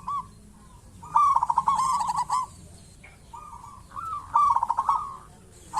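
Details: Local zebra dove in full voice, played to encourage other zebra doves to call. Two long bubbling phrases of fast staccato coos, loud and rhythmic, separated by softer single notes.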